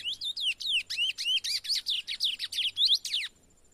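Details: Chestnut-bellied seed finch, a young brown-plumaged bird, singing out in the bush, still gradually opening its song before training. It makes a fast, steady series of high, sweeping whistled slurs, about four per second, then stops abruptly.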